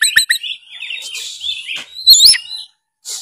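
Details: Oriental magpie-robin singing in 'gacor narung' style to prompt lazy birds: an opening of quick chirps, then a wavering run of whistled notes ending in a bright, rising squeaky phrase.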